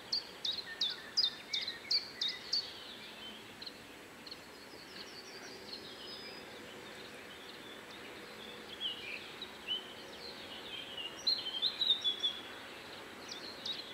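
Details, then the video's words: A common chiffchaff sings a quick run of about eight high, clipped 'chiff-chaff' notes at Zbiornik Joachimów Mogiły on 27 May 2017; fainter twittering from other birds follows over steady background hiss. "Chiffchaff / Pierwiosnek"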